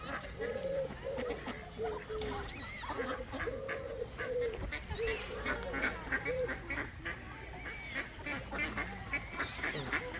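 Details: Several ducks give loud, nasal quacks in short uneven bursts, some calls dipping at the end, with overlapping callers and a constant low background hum.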